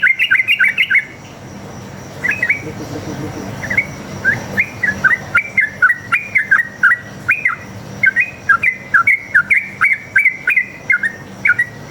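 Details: Sooty-headed bulbul in forest, singing a rapid long fighting song meant to lure other bulbuls into answering: a dense opening burst, then steady repeated bouncy whistled phrases, each a quick rising-falling flourish, over a faint constant hum.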